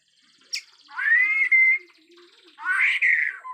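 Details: Bornean white-rumped shama, agitated, with a natural forest sound: a sharp high note, then a long, clear, slightly rising whistle, a pause, and a second rich, full whistled phrase.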